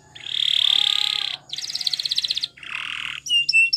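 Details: Spanish Timbrado canary, a champion singer recorded for training, holds a loud sustained rolling tone, switches to a pulsed trill, drops to a lower buzzy roll, and closes with short high notes.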